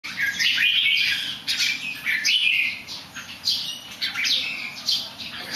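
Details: A bird that sings well but does a few somersaults, giving bright whistled phrases that rise and fall, with short bursts repeated roughly every couple of seconds over a steady low hum.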